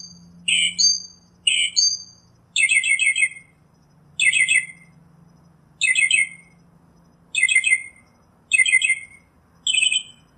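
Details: Northern Mockingbird singing in the wild: two chirp-and-whistle phrases, then several rough, rapidly stuttered bursts repeated with short gaps, changing pattern partway through.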